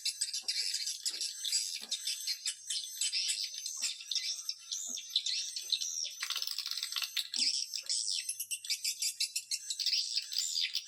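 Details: Swiftlet calls used as a lure: long, unbroken high chattering with dense rattling chirps and occasional louder buzzy outbursts.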